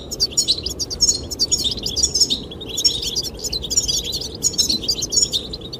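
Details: Goldfinch song meant to attract the female, a run of liquid high twitters repeated in quick succession with almost no pause, over blowing wind.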